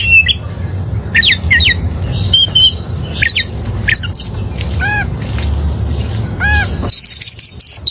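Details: Wild oriental magpie-robin, recorded as training material for caged birds: sharp chips and slurred whistles, two rounded harsh squawks, then a burst of fast high buzzy notes at the end, over a noisy low rumble.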